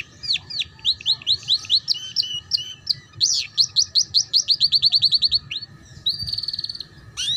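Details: Ngeriwik-style canary tutor song for young birds learning to sing: long rapid series of rising whistled notes accelerating into a fast rolling trill, ending with a high buzzy roll and a final sweep.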